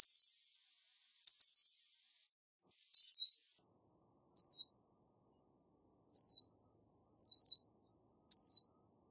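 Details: Black phoebe singing: seven sharp, high chirped notes, the first two longer and slightly buzzy, the rest short and clipped, given at uneven intervals of about one second against a silent background.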